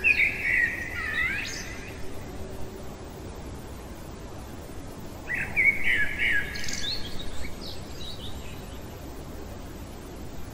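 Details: Common blackbird singing in the middle of the night: two fluty, warbled phrases about five seconds apart, each ending in thin, higher twittering, over a steady low background hiss.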